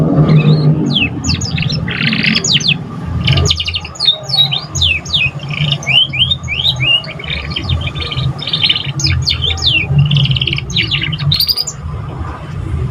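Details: Young canary beginning to sing: long stretch of chattering song with slurred descending whistles, buzzy bursts and short trills, broken by brief pauses, over a noticeable low rumble and steady hum.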